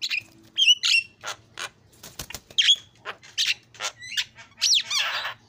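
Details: Javan myna in varied song after a lure recording, mixing harsh squawks, sharp clicks and slurred whistles in an irregular jumble, ending with a rasping buzz.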